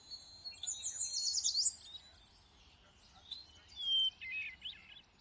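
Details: Thrush song in lush greenery: a burst of dense, high twittering notes, then after a pause a few clear whistled phrases, one a slurred falling whistle, over a faint steady background hiss.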